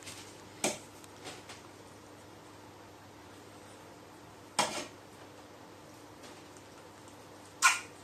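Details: A crow sneezing on 4 June 2018, part of a run of four sneezes: three sudden, broadband bursts at roughly 0.6, 4.6 and 7.6 seconds, each a sharp puff that fades quickly, with quiet hum between.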